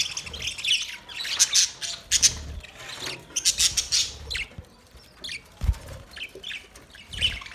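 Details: Budgerigars in a colony setup chatter together, a stream of sharp, high chirps and rasping squawks in quick bursts with brief pauses, several birds overlapping, plus a few low thumps.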